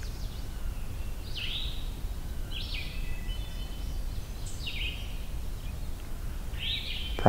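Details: Eastern Towhee call during a forest hike toward Hector Falls, soft slurred two-part notes about every one to two seconds, fairly loud then stopping, over a steady low rumble; the same towhee heard the previous night.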